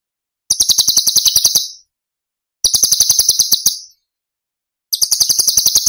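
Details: Masteran recording of a cucak cungkok delivering Cililin tembakan song: three rapid, high, buzzy chattering trills of just over a second each, evenly spaced by silence.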